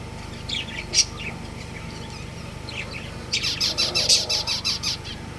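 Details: Breeding pair of budgerigars at home: a couple of scattered chirps, then a fast run of about ten bright, evenly spaced chirps near the end, over a low steady hum.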